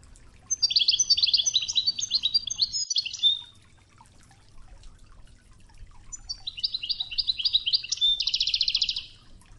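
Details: European goldfinch in the Widani style, recorded for song training against river-water tones: long bursts of bright tinkling twitters, the second ending in a fast, buzzy rattling trill, with faint water hiss between phrases.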